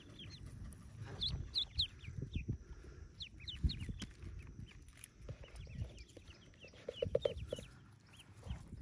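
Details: Newly hatched yellow ducklings, about forty hatching in a cave nest, giving high, thin, downward-arching peeps in loose overlapping bursts, with low rustling and thumps beneath.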